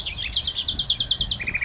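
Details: Common Nightingale singing from a little branch, body trembling, on an early morning in Norfolk among whitethroats and warblers: a rapid run of about ten high, rich repeated notes ending on a lower, quicker trill.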